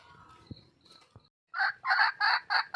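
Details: Wild red junglefowl hen seeking a male: after quiet chirps and a couple of taps, she bursts into a string of loud, coarse squawks, around five in just over a second.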